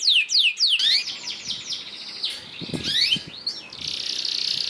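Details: Canary lure song intended to get other canaries singing: a few sharp high downslurred notes at the start, then song phrases half-buried under steady broadband hiss and background noise.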